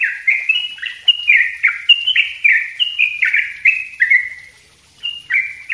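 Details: Rapid, tightly packed 'ropel' song of a yellow-vented bulbul, meant for tutoring other songbirds: an unbroken chain of rich, slurred, bubbling notes, each falling in pitch, with a short pause near the end.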